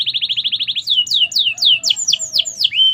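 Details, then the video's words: Domestic canary singing merlok song: a rapid even roll of short high notes, then a string of loud, sweeping downslurred whistles, each swooping from high to lower pitch, one after another. "Kenari merlok gacor"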